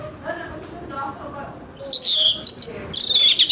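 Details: Morning song of an orange-headed thrush, played to stimulate other birds: after a quiet start, two bursts of shrill, harsh, high notes.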